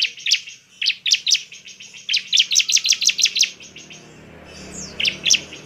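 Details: Bar-winged prinia giving vigorous provoking song to excite other prinias: a steady string of high, sharp chirps repeated several times a second, then a pause, a faint downward whistle and two final notes.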